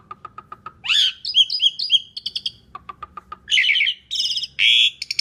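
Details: Varied song of an Asian pied starling, full of different notes and meant to lure other birds to sing: soft repeated ticks, a sharp upswept whistle, warbled notes and loud rasping bursts.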